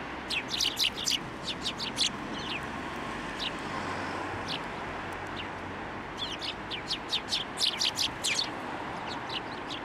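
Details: Sparrows at a Tenmangu shrine, 16 December 2023, landing on a hand to take food: lively, overlapping high chirps almost throughout, busiest at the start and end, with a quieter stretch in the middle.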